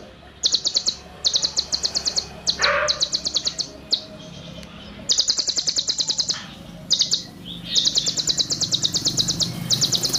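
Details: Konin, the olive-backed sunbird, in a training recording of song packed with cililin phrases: bursts of very fast, high, evenly ticking trills about one second long, separated by short gaps, with a few lower chirps.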